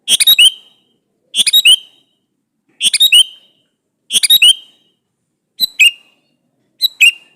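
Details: Sooty-headed bulbul male calling to a female as a lure for other bulbuls: four full, chattering phrases of rapid notes, then two shorter two-note calls, spaced over a second apart.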